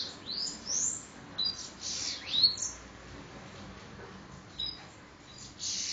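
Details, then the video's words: High-pitched bananaquit song from Parnamirim, Rio Grande do Norte: several thin rising and falling squeaky sweeps across the first half, then a couple of faint, isolated high notes. "Sibite endemoniado 2 parnamirim~rn"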